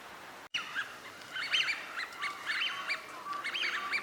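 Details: Eurasian wigeon, wintering ducks in Junsai-ike park green space, Chiba, Japan, February 2026: a flock gives many overlapping whistled calls that rise and fall, clustered and irregular, with some lower steady tones underneath.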